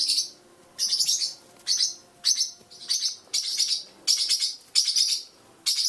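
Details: Three blue parrotlets just over a month old, fledging and taking their first short flights indoors, give bursts of high, scratchy chirps about one burst every second or so, with a person speaking softly underneath.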